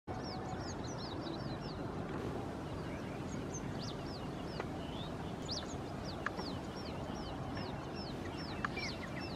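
Asian green bee-eaters give quick, high, chirping notes in rapid strings, several birds calling together, over a steady low rumble of wind or background noise.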